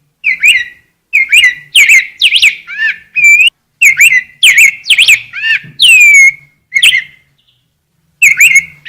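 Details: Rose-breasted grosbeak singing in bursts of rich warbled whistles, brief pauses between phrases, one long clear downslurred note near the middle and a silent gap before a final phrase.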